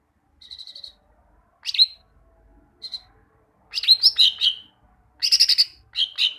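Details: Greater green leafbird, caged, song used as a master recording to train caged birds to sing; scattered bursts of bright, buzzy chirps and trills high in pitch, separated by pauses, growing denser toward the end.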